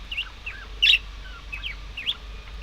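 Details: Budgies in soft, twittering warble of quick rising and falling notes, broken by one louder, harsh chirp near the middle; faint background hiss.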